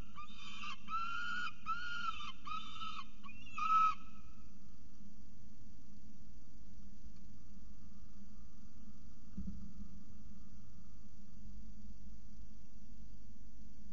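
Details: At a peregrine falcon nest in Orange, New South Wales, on 18 November 2022, two birds are making mischief. Five short, harsh, harmonic notes come in quick succession over the first four seconds. Only a faint low hum and one soft thump follow.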